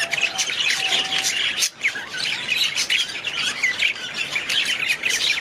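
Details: Budgerigars chattering in a steady, gravelly warble full of quick chirps and squeaks, briefly dipping quieter near the middle before resuming.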